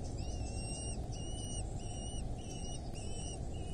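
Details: Wild Eurasian hobby at its nest in rural Dorset, England, 8 July 2024, 07:55. Thin, high calls come in short bursts, each note bending up then down, repeated about every 0.7 seconds over a steady low rumble.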